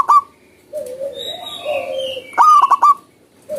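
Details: Free-living zebra dove, a short clipped note opening, then a run of fast staccato coos near the end, with sustained hums and higher whistles from other birds filling the gap.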